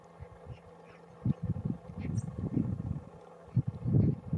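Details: Greater Flamingos (Phoenicopterus roseus) at Barragem da Marateca reservoir, Castelo Branco, Portugal, give low, gruff, goose-like grunts and honks in dense irregular bursts, with a faint steady low hum behind.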